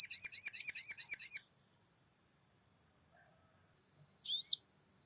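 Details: Lure song of the sogon for stirring a caged bird into singing: rapid, repeated high chirps with a scratchy edge for over a second, a long pause over a faint steady whine, then one short bright burst of chatter.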